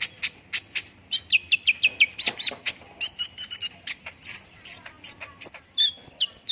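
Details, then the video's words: Olive-backed sunbird song for prompting quick singing: a run of sharp high chips, then a series of short falling whistles, followed by buzzy high trills and thin squeaks. "PANCINGAN KONIN CEPAT RESPON BIKIN CEPAT BUNYI DAN GACOR"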